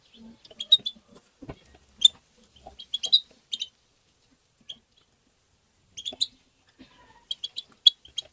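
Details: European goldfinch chatter song, the tabtaba style played to stimulate goldfinches: clusters of high tinkling twitters separated by pauses, with faint low rustling and clicks underneath.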